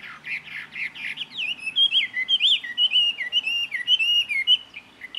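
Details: Mimicry of other birds by a jungle babbler in Karnataka, India: rough chattering notes give way to a long, continuous warbling phrase of wavering, rising and falling whistles delivered in rapid succession.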